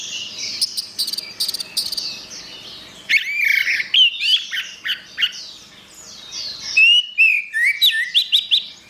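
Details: Orange-headed thrush in continuous gacor song: rapid clipped high notes, then loud swooping whistles and varied slurred phrases, delivered about three per second with irregular rhythm.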